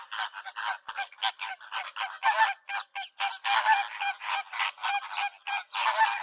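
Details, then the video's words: Flamingos honk in a dense, goose-like chorus, many overlapping nasal calls about every quarter second with no pause. "FLAMINGO VOICE"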